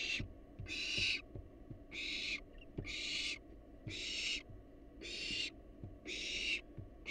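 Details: Wild barn owls in a monitored nest box produce steady, breathy hisses, each about half a second long, repeated roughly every 0.8 seconds with short quiet gaps, with faint knocks in the background.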